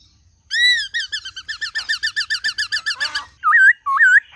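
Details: Caged white-cheeked laughingthrush singing a varied wild-style song, used to stimulate other kept laughingthrushes: a slurred whistle, then a fast run of about fifteen rapid, clipped repeated notes, ending in two loud looping whistled phrases.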